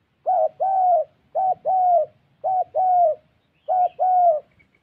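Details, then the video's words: Captive spotted dove used as a decoy bird in Gia Lai, Vietnam, giving four low, mellow two-part coos: a short note then a longer drawn-out one, each pair about a second apart. "Gác cu gáy_ Bổi nước xa tốt, có kèm"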